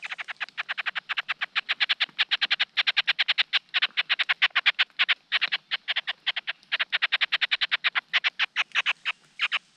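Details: Large Niltava nestlings begging while their father rushes to feed the brood: a long run of harsh, rasping notes repeated about five times per second, with brief pauses, nearly continuous for ten seconds.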